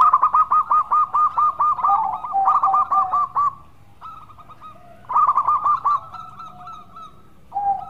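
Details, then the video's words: Zebra dove (local perkutut) giving bursts of clipped, mellow cooing notes, about two per second, with a short lull between phrases; no other clear sounds. "Perkutut Lokal Gacor Suara Merdu"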